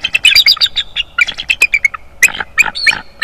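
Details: Bald eagle calling at its nest in North East Florida, from a nest camera on 25 January 2022. Loud, rapid chittering of shrill squeaky notes runs almost without pause, with a few brief gaps between bursts.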